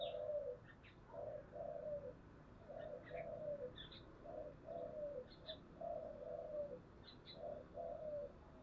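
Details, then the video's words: Spotted dove using the giọng thổ voice in a fighting display. Paired cooing notes repeat steadily, about one phrase every one and a half seconds, with higher chirps from other birds and a soft outdoor hiss. "cu gáy giọng thổ/ cu gáy thúc đấu căng lửa"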